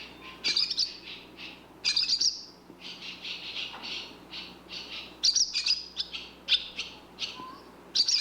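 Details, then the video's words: Barn swallow twittering in quick, high, scratchy bursts of chatter, several phrases running together every second or two, with a faint low hum behind. "Barn Swallow Bird sound"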